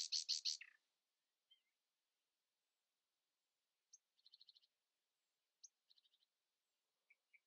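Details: Dawn song of a common nightingale defending its place against rivals: a loud opening burst of rapid strokes, then long pauses broken by high ticks, two short fine trills and a few soft whistles.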